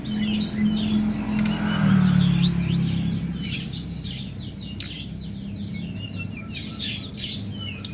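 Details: Mountain prinia singing busily: quick series of thin, high chirps and short slurred whistles, irregularly spaced, over a loud, steady low rumble like engine or traffic noise.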